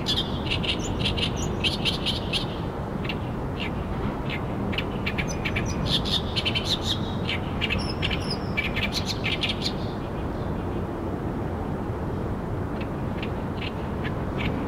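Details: Waterside of Tokyo's Arakawa River, where an oriental reed warbler sings actively. Loud, scratchy, repeated chattering phrases fill the first ten seconds, then fade, leaving a continuous deep rumble of background noise.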